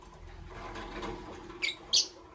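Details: Lovebirds, a Green Fischeri and a Pastel Blue, in the morning; after a stretch of low, murky background noise come two sharp, bright chirps close together near the end, the second louder and higher.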